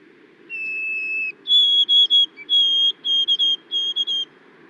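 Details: White-throated sparrow (Zonotrichia albicollis) song: a clear, sweet monotone whistle held nearly a second, then a higher steady whistle, then slow repeated phrases broken into triplets that rise and fall, over a faint low hum.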